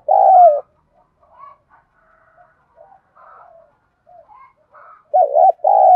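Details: Spotted dove giving "đồng thổ"-style coos meant to stimulate decoy doves to respond. A strong falling coo opens, softer faint murmuring notes follow, and a fresh two-part coo closes.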